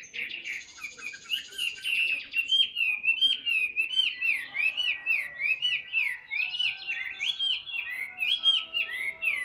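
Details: Chinese hwamei, a big, tame caged bird said to sing abundantly, repeats a bright rolling phrase of looping whistled notes about twice a second, each note dipping and rising, after a brief buzzy start.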